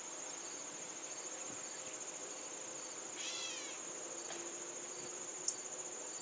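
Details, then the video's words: A Gray Catbird in a backyard gives a single nasal, cat-like mew that slurs downward, over a steady high trill of crickets. "Listen as the Catbird mews to me"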